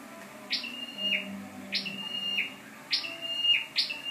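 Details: Scarlet-backed flowerpecker used as a lure bird, recorded 12/10/14: sharp high descending notes each followed by a thin steady whistle, repeating about every 1.2 seconds, over faint low background hum.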